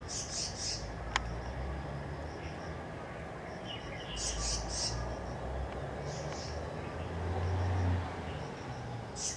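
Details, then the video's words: A Black-naped Monarch at Fazu River, Taichung City, Taiwan, on November 1, 2014, calling its young: high, scratchy bursts of quick notes in short clusters every two to three seconds, over a steady low rumble of background noise. "Black-naped Monarch_ making noise calling babies."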